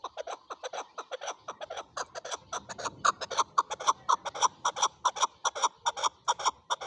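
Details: Rapid chuk-chuk calling from a male chukar, softer at first then growing louder and more insistent, the clipped clucking notes tumbling out at around four or five a second.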